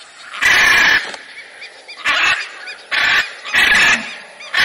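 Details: Loud, grating macaw squawks repeated roughly once a second, each a coarse, noisy screech of under a second.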